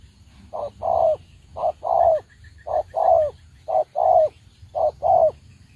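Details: Decoy spotted dove kept for trapping, cooing in steady paired phrases, each a brief note then a drawn-out, gently falling one, five pairs in quick succession, with a faint high chirping series briefly behind.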